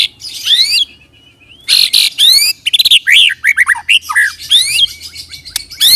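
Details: White-rumped shama, lure of rolling song (ngerol) to draw responses from other shamas; a nearly continuous, rich run of buzzy bursts, sweeping whistles and quick descending fluty notes.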